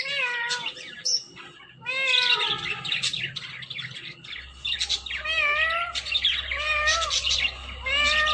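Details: Ring-necked parrot uttering drawn-out, arching meow-like harmonic calls, repeated several times, interspersed with high chirps and squeaky chatter over a low hum.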